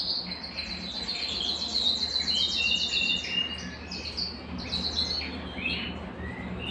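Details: ['Belgian canary singing to get a cold canary to sing. A high rolling trill is followed by varied warbled whistles against a noisy background.']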